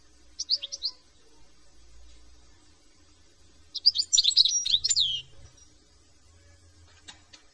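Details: European goldfinch from France singing: a short burst of twittering notes near the start, then a dense jangling phrase of rapid, liquid chirps and trills around four to five seconds, followed by quiet with faint ticks.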